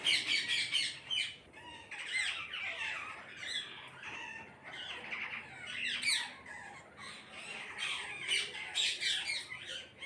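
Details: A flock of parrots calling together, filling the air with dense, overlapping harsh screeches and squawks, bursts coming rapidly and irregularly throughout, with no pause between callers.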